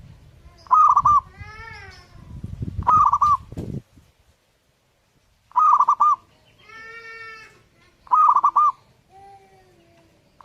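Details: Zebra dove (perkutut) in full song: short bursts of rapid, trilled cooing notes, a phrase roughly every two and a half seconds, with softer chirpy harmonic calls between phrases and some low rumbling background noise.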